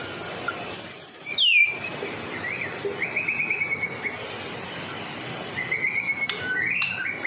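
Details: White-rumped shama of the Medan type, singing as a lure for other shamas: a high buzz and down-sweeping note, then softer repeated trills and rising whistles over steady background noise.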